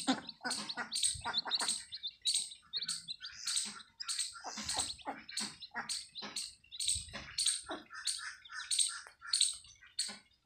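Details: A brood of newly hatched chicks with their Desi hen on a farm, peeping continuously in quick high chirps, clusters of several notes then short pauses, with soft scuffling below.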